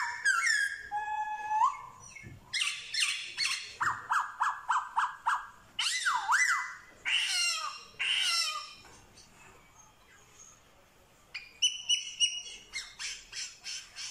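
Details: Black-throated laughingthrush from Vietnam, recorded 15/10/2021, imitating dogs, cats and chickens; opens with falling whistled slurs, then bursts of harsh, rapidly repeated short notes and mewing sweeps, a pause, and more quick clipped notes.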